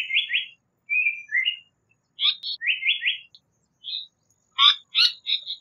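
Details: Song of a Japanese paradise flycatcher, built from paired slurred whistles and a falling two-note phrase, followed by sharp, raspy chips that break into clustered high notes toward the end, in quiet surroundings.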